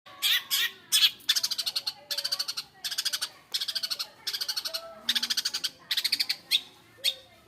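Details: Long-tailed shrike giving a harsh, buzzy chatter: rapid rattling bursts of grating pulses, each about half a second long, repeated roughly every second, with faint lower tones in between.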